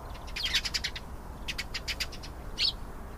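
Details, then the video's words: Canary singing: two quick bursts of high, sharp chirping notes run together in rapid pulsed trills, then a short pause and a single louder bright chirp near the end, over a steady low background hiss. "canary singing. beautiful canary sounds"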